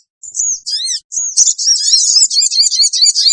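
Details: Lure sound of a sooty-headed bulbul meant to gather wild birds: brief thin whistles and chevron notes building into a continuous high, rapid screeching chatter.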